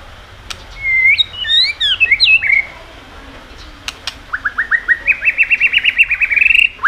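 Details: White-rumped shama song meant to provoke other birds to sing, opening with rapid, swooping whistled notes, then a pause, then a fast, evenly repeated series of rising notes that climb steadily in pitch.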